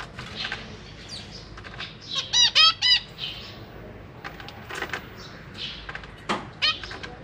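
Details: Captive zebra finches, parents feeding newly hatched young alongside juveniles; a loud run of nasal, harmonic calls repeated about four per second, then softer chirps, wing flutters and later single calls.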